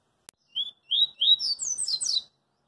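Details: Street-singing double-collared seedeater delivering a 'coringa' song: a short whistle, two longer slurred whistles, then a quick twittering series of high falling notes; a sharp click precedes it.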